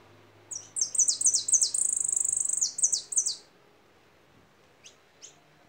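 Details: Lively goldfinch song of tumbling high downslurs and a brief fast buzzy trill lasting about three seconds, followed by quiet and two faint single chips.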